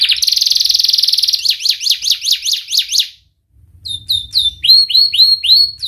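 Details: Canary singing, used to train young canaries: a rapid buzzy trill, then zigzag up-and-down whistled notes, a short silence, and finally quick sharp chirps in clusters.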